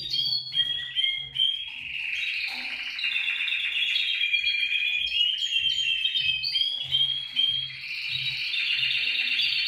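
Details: Canary song played to encourage other canaries to sing: a continuous, high, rolling warble of rapid trills and chirps, with a faint low hum beneath.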